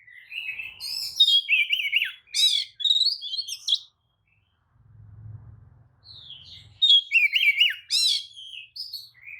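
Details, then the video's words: Lure song of an Oriental magpie-robin, used to make rival birds reply and spread their tails. Loud bursts of mixed whistles, harsh buzzy notes and wavering slurs, a pause with faint low rumble, then another varied burst. "kacer manapun jelas nyaut oleh kicau pancingan kacer buka ekor!"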